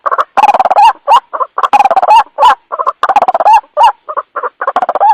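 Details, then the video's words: White-breasted waterhen lure call at night: harsh, nasal croaking notes near one pitch, delivered in rapid stuttering bursts broken by short pauses, with a few longer rising croaks between groups. "Suara pikat ruak ruak malam hari"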